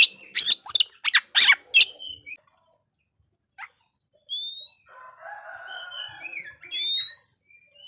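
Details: Oriental magpie-robin singing in fighting mode, meant to provoke rival birds: four loud, harsh, scratchy bursts open the phrase, followed after a pause by thin rising whistles and a soft warbled passage.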